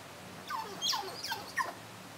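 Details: Common myna giving a laughing call: a short run of bright, squeaky, whistled notes sliding up and down, delivered in three quick bursts over about a second.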